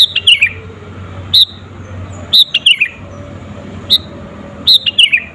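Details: Sooty-headed bulbul, sung to provoke rivals as a lure: whistled descending phrases alternating with single sharp high notes, irregularly spaced about a second apart, over low background hum.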